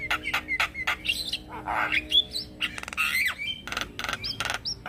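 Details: Male Javan myna giving a lure call meant to make other mynas and starlings answer: harsh squawks and rising and falling whistles, broken by sharp clicking bursts, over a steady low hum.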